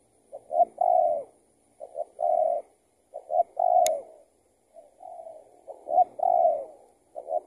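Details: During trapping, a spotted dove, someone's escaped decoy still on a string, answers the lure; low, rounded coo phrases of brief notes ending in a longer falling coo, repeated at uneven intervals, with one sharp click.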